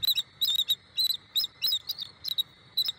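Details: Southwest Florida bald eagle nest at Thanksgiving, with the mated adult pair present. Rapid, high-pitched chattering: sharp squeaky chirps in quick clusters of three or four, repeated several times a second, ringing and metallic, over faint insect hum.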